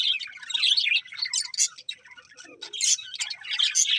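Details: Budgies chirping happily as they feed, a busy jumble of buzzy, twittering notes and sharp high chirps with one short lower squawk midway.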